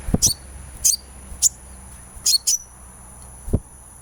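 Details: Sunbird chirps played as a therapy sound to get a kept bird singing keenly: short, very high, sharp double and single chirps at irregular intervals, over a steady thin high-pitched hum and a few low thumps.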